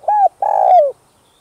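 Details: Spotted dove cooing to stir up captive males: a single phrase with a short arched hoot, a brief pause, then a long, steady coo that slides downward at the end, in a quiet setting.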